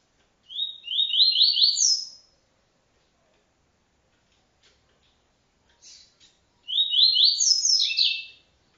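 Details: ['Double-collared seedeater singing a TuiTui-style encarte training song: two phrases of short buzzy notes stepping upward in a quick run, ending on a high sliding note, with a few soft clicks between the phrases.']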